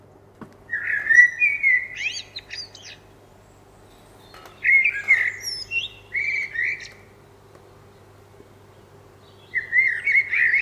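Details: A common blackbird, recorded in northern England, sings three unhurried phrases, each a mellow, fluting, human-like whistle that breaks into a higher, squeaky twitter, with pauses of a few seconds between them and no repeating pattern.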